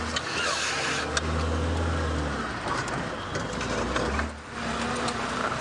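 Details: A vehicle engine drones with a low steady hum, along with scattered clicks and rattles; no animal calls.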